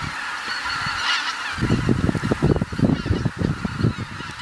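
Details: Geese coming back to Kabukuri-numa marsh, Japan, as the sun sets. A massed honking chorus carries throughout, with heavy low rumbling and bursts of nearby sound starting about halfway through.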